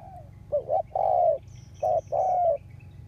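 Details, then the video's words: Ground decoy spotted dove for luring wild doves, August 2021: two phrases, each a quick rising double coo or short coo followed by a long hollow falling coo, with a thin high chirp in the background. "Tiếng chim cu mồi đất cực sung hiệu quả kích mồi"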